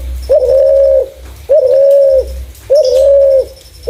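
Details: Clear-voiced spotted dove kept as a lure for other doves, cooing three smooth sustained notes with a short rising start, evenly spaced every second and a half, against a steady low hum.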